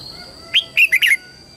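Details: Lure red-whiskered bulbul singing to draw wild birds in for a fight, giving a single brisk phrase of four rich, slurred whistled notes over a constant high-pitched electrical-sounding tone.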